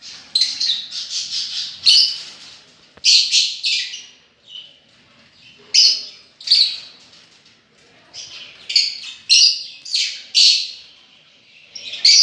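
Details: Lovebirds chattering in rapid runs of harsh, high chirps, bursts coming in uneven groups with short pauses between.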